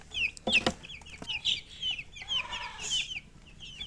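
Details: Chicks chirping together, many short high peeps overlapping in quick succession, with a couple of brief knocks and bumps early on.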